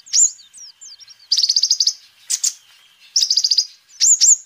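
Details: Sunbird in full song, kept as a lure and master bird for training: a thin wavering whistle, then fast metallic trills of about eight pulses, interspersed with sharp high upslurred notes.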